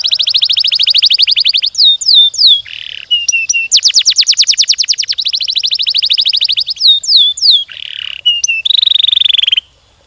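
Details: Canary delivering long, speedy rolling song used to stimulate other canaries: alternating fast buzzy trills, bursts of steep falling sweeps and harsh notes, running continuously for nearly ten seconds before stopping.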